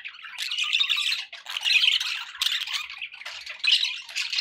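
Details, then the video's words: Budgerigars kept as pets chattering continuously, a rasping, twittering babble of squawks and chirps with a brief quiet gap early on. "budgie sounds"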